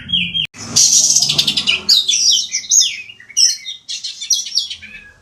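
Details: White-rumped shama song for contest training: a short whistle, a sudden break, then a dense burst of rich, varied high warbling and chattering phrases with brief pauses between.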